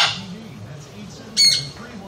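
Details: Parrot making loud noise: one short, harsh, broadband squawk about two-thirds of the way through, over a steady low wavering hum indoors.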